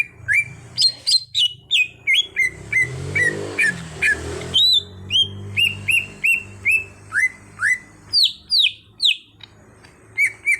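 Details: Greater green leafbird (cucak hijau), brought from raw bird to gacor, sings a long run of bright whistled notes with varied upward and downward bends, several per second, while a low droning hum sits underneath.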